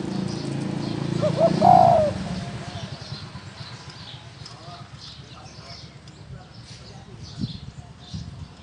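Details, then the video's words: Field-type spotted dove giving one cooing phrase near the start: short soft lead-in notes, then a strong falling coo, followed by quiet background with faint rustling and a single knock. "Tiếng chim cu gáy thổ đồng gù"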